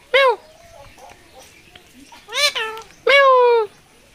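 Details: Parrot that talks like a human, at the Mirpur 1 bird market in Dhaka, October 2023: three loud harmonic speech-like calls, the first short and falling, the last long and level, with quiet murmuring between.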